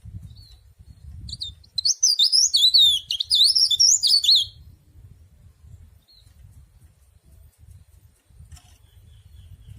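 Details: Mountain leaf warbler, kept as an ornamental bird, singing a fast, high-pitched burst of thin twittering, zigzag notes lasting about two and a half seconds, then falling quiet over a low background rumble.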